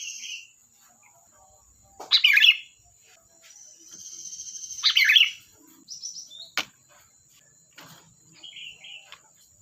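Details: Sooty-headed bulbul in busy song: a loud gurgling phrase, then a longer drawn-out warble, followed by short whistled notes and a sharp click, over a constant thin high whine.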